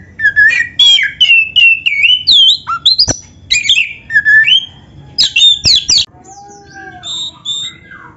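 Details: Kacer, the Oriental magpie-robin, delivering a continuous varied training song in 'full isian' style: rapid whistled phrases rising and falling, sharp clicks and harsh bursts, then softer scratchy notes toward the end.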